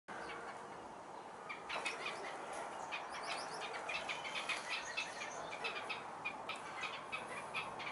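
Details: Red-capped robins feeding newly hatched chicks: a dense run of short, high chirps and twitters, fairly steady through the whole stretch and a little louder toward the end, over a soft background hiss.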